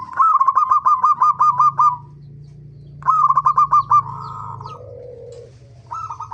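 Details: Zebra dove song used as a lure so birds sing readily: two runs of fast, springy cooing notes, then a short drawn-out coo and lower murmur, over a steady low hum.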